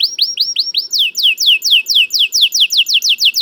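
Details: A canary repeats several upswept whistled notes, then switches to a long, even series of downslurred slides, about four per second.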